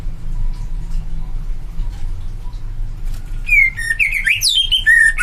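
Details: Greater green leafbird singing loud, clear whistled phrases that swoop up and down with quick varied notes, starting after about three and a half seconds of low hum.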